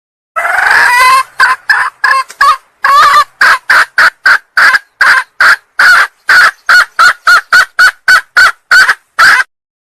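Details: Female red junglefowl, Sumatra, calling to draw in a male: a rough opening cry breaks into a long run of about twenty short harsh cackling notes, quickening toward the end.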